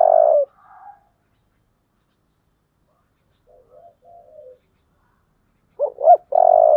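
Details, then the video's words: Spotted dove song in the 'giọng thổ' style. A strong coo opens, then soft, low murmured cooing notes and a long pause. The clip closes on two short, sharp hoots leading into a long, loud coo. "cu gáy giọng thổ"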